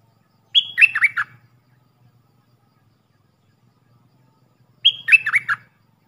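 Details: Two phrases, roughly four seconds apart, from a Puff-throated bulbul decoy used to teach young birds: each a high whistle dropping into three quick slurred notes, with faint low noise behind.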